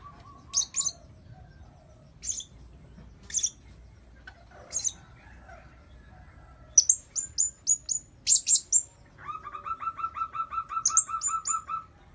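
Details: Blue-crowned hanging parrot call used as a lure to attract birds: sharp, very high chirps in short separated bursts, then a quick run of buzzy repeated notes and further high chirps toward the end.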